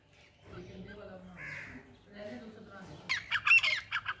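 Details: A hand-tame Grey Francolin gives a burst of loud, harsh, grating notes, about six in quick succession, after murmured human voices and low background sounds.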